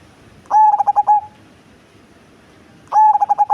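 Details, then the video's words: Deep-voiced, big-bodied black cemani zebra dove: a loud phrase of rapid pulsed coos ending in a sustained tone, then a second phrase starting after a pause of about a second and a half. "Perkutut Cemani Body Besar Suara Besar dan Ngebas"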